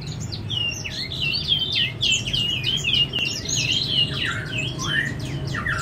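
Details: Chestnut-flanked white-eye (Zosterops erythropleurus), song.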